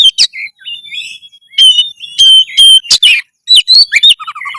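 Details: Loud nonstop Oriental magpie-robin song used as tutor material to stir breeding drive and readiness to fight: a long steady whistle, then rapid chirps, steep sweeps and a fast trill of low repeated notes at the end.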